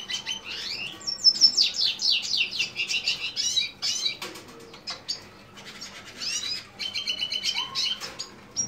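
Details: Lesser goldfinch, subspecies jouji, in a fast, varied run of downslurred chirps, metallic trills and a buzzy burst, loud and close, with a brief quieter stretch before the chatter resumes.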